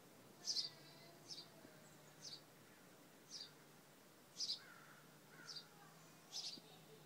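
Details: Sparrow nestlings from a second clutch of the year, in a nest at a house and close to fledging: faint, thin, high chirps repeated about once a second, over a quiet hiss and low hum.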